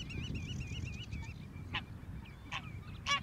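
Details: Greylag goose recorded in Belgium in 2017: three short, harsh, broadband honks spaced under a second apart, over a steady low rumble of background noise, with another bird's wavering whistled notes at the start.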